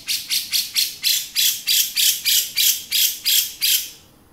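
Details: Male grey-cheeked bulbul in 'beset' style gives about a dozen loud, grating rasps at a steady pace, then falls silent.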